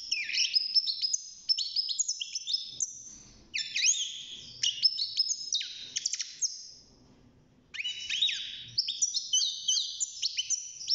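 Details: Young European goldfinch kept in a cage, six months old and newly singing: fast, jumbled high twitters and liquid trills, a quiet gap of about a second, then the lively chatter starts again.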